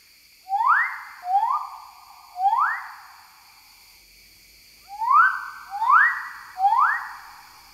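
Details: During its courtship display dance, a male magnificent riflebird gives six loud, sharply upslurred whistles, each swooping up then sliding flat, in two runs of three separated by a short pause.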